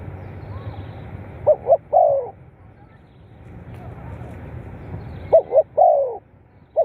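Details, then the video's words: Spotted dove cooing, used as playback to stimulate captive birds: two short low coos and a longer downslurred note, the phrase given twice about four seconds apart, over a steady low rumble. "เสียงนกเขาใหญ่ เปิดกระตุ้นนกชำ ขึ้นไว"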